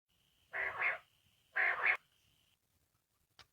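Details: Common quail calling outside a cage, recorded in 2020: two harsh, raspy double-humped bursts about a second apart, each half a second long, over a faint steady high tone and a brief click near the end.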